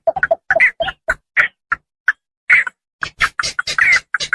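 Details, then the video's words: Lure sound of rice-field Javan pond herons used for trapping: quick clusters of coarse clucks and croaks, a short gap near the middle, then a busy stretch of louder, raspy squawks from several birds. "suara pikat burung blekkok sawah,puchong rawa"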